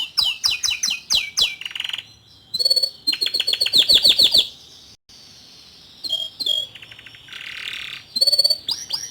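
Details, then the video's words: Young male domestic canary singing to prompt a juvenile canary to start singing; rapid high trills and repeated sweeping notes in fast bursts, with buzzy rolls and brief pauses, nearly all sound high-pitched. "Memancing Emosi Kenari Paud Dengan Kicauan Kenari Jantan Muda Agar Cepat Buka Paruh"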